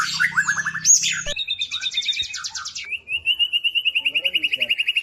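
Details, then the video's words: White-rumped shama singing loudly, used to provoke other shamas into song: abrupt cut sections of rapid buzzy trills and whistled rising notes, ending in a long, even run of fast, high repeated notes; faint low hum early on. "murai batu gacor AMPUH UNTUK pancingan murai batu agar bunyi langsung bikin emosi bongkar materi"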